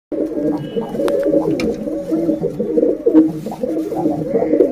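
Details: A female pigeon calls to the male, used as a lure sound. Low, throaty cooing runs continuously in overlapping, bubbling phrases in an enclosed space.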